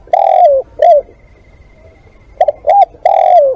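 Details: Loud cooing from a spotted dove used as a live decoy. Long falling coo, short hoot, a quiet stretch, then two clipped notes and another drawn-out descending coo.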